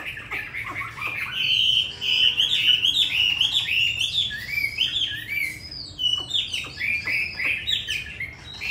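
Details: Hwamei kept in a cage in Hanoi, Vietnam, singing in the wild-style 'giọng rừng' voice: dense, loud, continuous warbling of rich whistles and quick slurs, barely pausing, with a few sharper high notes mixed in.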